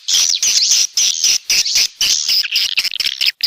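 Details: Swiftlets calling: dense, high, buzzy chirping delivered in rapid bursts about twice a second, separated by brief gaps. The bursts break into quicker, irregular twitters near the end.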